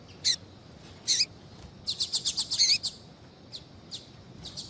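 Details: Female double-collared seedeater calling to warm up a male. Two separate chirps are followed by a rapid even run of about eight high notes, then soft scattered calls.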